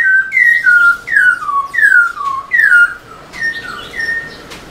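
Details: Caged black-throated laughingthrush singing to stimulate other caged birds: loud whistled notes sliding down from high to lower pitch, repeated in a steady series about once every second, softer fainter notes near the end.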